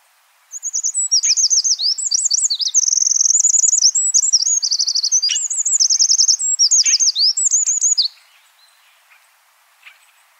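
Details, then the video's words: Wild Eurasian wren singing a long, loud, unbroken burst of high, rapid notes with fast rattling trills and sharp sweeping whistles, lasting about seven seconds before ending abruptly, then near silence. "chants et cris du troglodyte mignon- HD/ calls and songs european wren"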